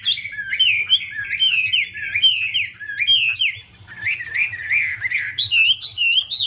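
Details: Chinese hwamei, the female dancing and fanning to stir the male into song; loud, flowing whistled phrases with looping up-and-down slurs, a short lull around four seconds, then renewed bright rising whistles.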